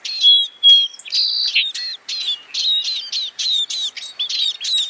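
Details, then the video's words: A scaly-breasted munia gives a rapid run of high, thin chirps and whistled notes, about two or three per second, with a clear background. "Scaly-breasted munia sound (صدای فنچ پاکستانی)"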